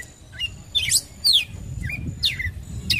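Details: Red-cowled cardinal calling to provoke a male: a series of sharp, steeply descending chirps, some buzzy and high, given irregularly with short pauses, over a faint steady high tone and low background rumble.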